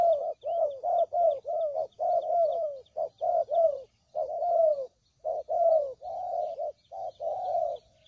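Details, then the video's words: Spotted dove cooing used as a trap lure: quick series of low coos with small downward inflections, grouped in bursts with short breaks, faint twittering from other birds behind. "Suara Pikat Burung Tekukur Paling JITU"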